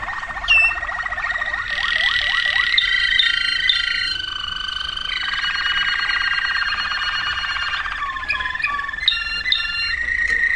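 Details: Waterslager canary song from 2009 with rising slurred whistles, a long rapid rolling trill over held tones, and bubbling water-like notes near the close.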